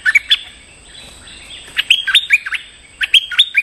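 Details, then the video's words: Stripe-throated bulbul, a lure recording for calling a territorial resident bird: bright chirpy phrases of short notes jumping between mid and high pitch, sung in bursts with short pauses, clean background. "เสียงนกดอกแตงEp.188 จ้าวขุนศึก ร้องเรียกเจ้าถิ่น Suara pikat merbah lekir gacor"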